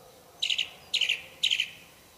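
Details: Three identical buzzy, stuttering phrases from a wild orange-banded thrush in isian song style, each about a quarter second long and spaced half a second apart, against a faint steady background.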